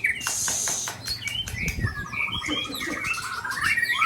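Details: White-rumped shama from Balak Sabang, Aceh, being attacked by shamas from Ujong Pancu and Tangse; varied loud whistles and sweeping notes with a rapid even trill of repeated notes, several birds overlapping against a low background hum.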